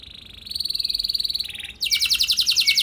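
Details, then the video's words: Canary training lure song for other canaries: a quieter, rapid rolling trill holding a steady high pitch, then breaking into a louder, coarser fast-pulsed trill, with a faint background hiss. "Pancingan Burung Kenari Ampuh Bikin Kenari Lain Auto Gacor Ngeroll Panjang | Canary Singing"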